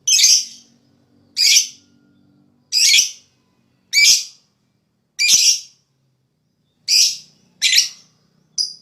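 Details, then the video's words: Lovebird calls meant to stimulate other birds to chatter: harsh, raspy, high squawks, each under half a second, repeated roughly every second or so with uneven gaps. The background is otherwise quiet. "Suara LoveBird Terapi,Rangsang Lawan Cepat Ngekek,LoveBird Ngekek Gacor"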